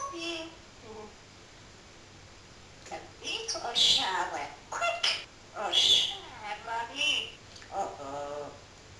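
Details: Pet parrot talking: after a quiet start, a run of speech-like syllables with hissing consonants and bright, high, voiced bursts arrives in uneven phrases over the second half.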